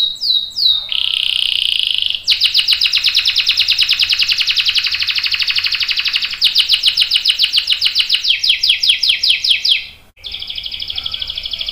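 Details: Canary in full song with a long roll, used as a tutor for young and adult canaries: brief opening notes, a dense buzzy roll lasting about six seconds, quicker descending notes, a short pause, then a softer trill.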